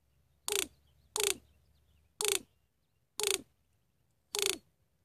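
Greater Roadrunner giving five short, harsh, rasping bursts with a low falling undertone, spaced about a second apart against a quiet background.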